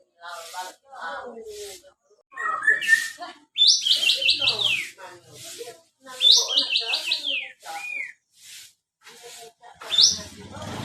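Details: White-shouldered triller, locally called kapas tembak, singing; sharp descending whistled phrases at high pitch repeated in bursts, mixed with lower chattering notes from other birds.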